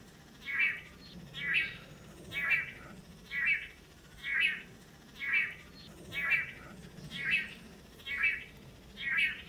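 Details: Pairs of male Long-tailed Manakins taking turns in courtship display before a female on a lek, Costa Rica; very even run of ten buzzy, nasal notes spaced about a second apart.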